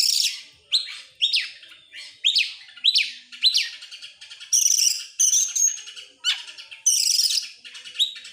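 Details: Oriental magpie-robin in full, persistent song, excited and fanning its tail: a steady stream of loud down-slurred whistles about every half second, mixed with high buzzy trills and a brief drop to a lower note.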